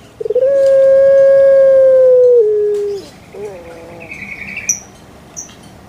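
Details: A single long call from a pet puter pelung dove: a sustained, even, hooting note that drops a step near its end. It is followed by a brief warbled tail and faint high chirps in the background.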